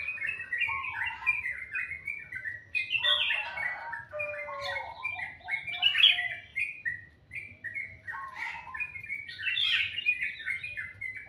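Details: Bird heard singing in the morning, called very sweet-sounding: bursts of rapid twittering notes separated by brief pauses, some sharper bright chirps, with a quiet low hum throughout.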